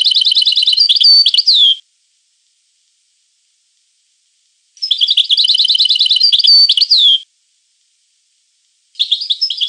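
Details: Goldfinch, European, in fast, liquid, twittering song bursts of about two seconds, each packed with quick chirps and trills and ending in a downslurred whistle. Three phrases are separated by clean silent gaps.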